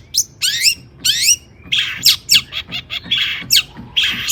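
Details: Agitated song of a long-tailed shrike, used to stir other shrikes to answer, mixing harsh rasping squawks and downward-sweeping notes in irregular bursts separated by short pauses.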